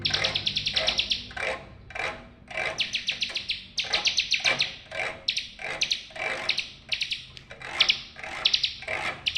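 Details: Bar-winged prinia singing fast, metallic trilled phrases of clipped repeated notes, one after another with brief gaps. A low background hum is present. Used as therapy to restart birds that have gone quiet.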